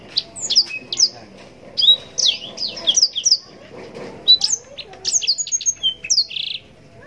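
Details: A Yellow-rumped serin, or blackthroat, in full mastering song. It delivers high clear whistled slurs and chirps in quick groups and ends with a brief harsh buzzy note.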